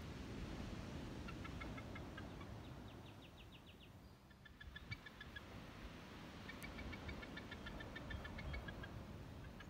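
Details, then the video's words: Chatty Bald Eagle soaring over a high bluff above the shores of Dungeness County Park, Sequim, Washington, on May 23, 2020. It gives bursts of rapid, thin, high staccato chittering notes, over a steady rumble of wind and surf. "Chatty Bald Eagle"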